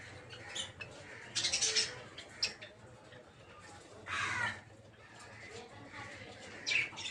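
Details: Peach-faced (rosy-faced) lovebirds in a breeding aviary in the morning give harsh, shrill squawks in short bursts every second or two, with softer chirps between and a low hum underneath.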